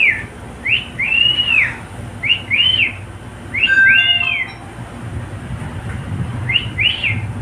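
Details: Male pet cockatiel that loves to sing with a companion, delivering repeated short arched whistles in pairs, with a brief lower steady tone partway through and a final doubled whistle.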